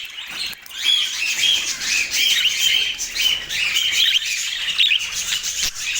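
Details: Budgerigars in Portland chirping and warbling, with short bright notes repeating over a constant scratchy background chatter. A couple of sharp clicks stand out near the start and end.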